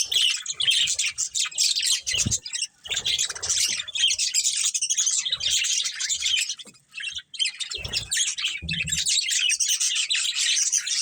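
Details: Breeding pair of budgerigars among a colony, long runs of busy high chirping chatter with a short lull, and a few low knocks.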